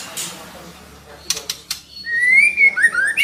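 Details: Female white-rumped shama giving a call meant to stimulate a male to sing: after a few clicks and some background noise, a long sweet whistle rises, followed by short sliding whistled notes.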